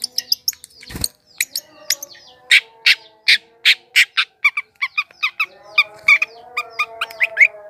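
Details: Long-tailed shrike song played to lure wild birds: varied chips and twitters, a sharp click, then a run of loud harsh notes, followed by mixed chattering and whistled slurs.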